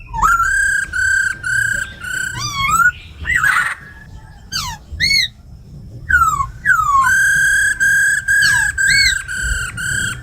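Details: Caged laughingthrushes, a female calling 'ro khẹt' and a tame khướu mun singing 'giọng rừng' to stimulate wild birds; a series of even, repeated level whistles broken by a harsh rasp and falling slurs.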